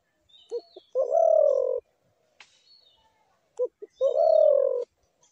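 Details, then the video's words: Spotted dove repeating its phrase twice, each a couple of short hollow notes leading into a long, level, rich coo, with faint high chirping of other birds in the background. "ঘুঘু পাখির ডাক"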